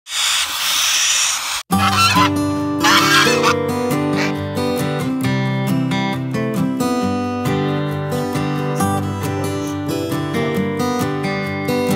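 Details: A brief burst of noise, then steady acoustic guitar music with no clear animal calls.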